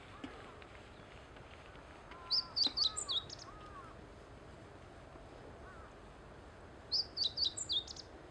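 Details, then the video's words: Meadow bunting singing on the Teganuma lakeside promenade, Japan: two quick phrases about four seconds apart, each a burst of five or six high, sharp notes, over a soft background hiss. "ホオジロの歌声.-Bunting singing-"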